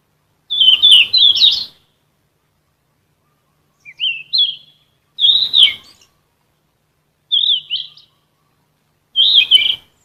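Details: Sikatan emas flycatcher (Ficedula) singing gacor for caged songbird training: five separate phrases of twittering, looping whistles, some short and rising, others long and warbled, over quiet background.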